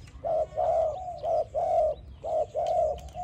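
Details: Training sound of a spotted dove singing: flat, even hooting coos in pairs and singles, roughly one per second, ending on a long, level drawn-out note.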